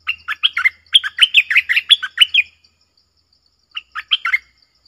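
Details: Clear-voiced red-whiskered bulbul delivering its doubled song style: a long run of quick, bright chirping whistles that jump up and down in pitch. After a pause of about a second, a shorter phrase of similar notes follows.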